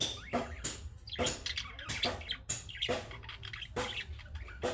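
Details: Budgerigar chicks' calling-style chirps, played so pet budgies answer: short broadband chirps and scratchy chatter in irregular bursts, about seventy a minute, with a faint watery background.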